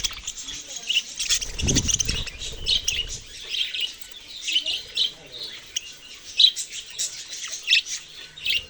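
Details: Budgerigar chatter with scattered bright chirps and squeaky peaks over a steady twittering background, and a low thud early on.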